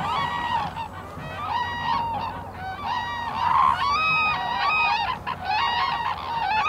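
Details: Highly endangered Black-necked Cranes in winter at Phobjikha Valley, Bhutan, foraging while calling almost continuously: loud, ringing honks with wavering pitch, many birds overlapping in a steady chorus.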